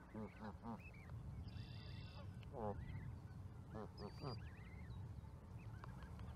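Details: Canada goose giving deep, ringing honks in short bursts, mixed with thin, high, rising chirps from other birds and a low background rumble.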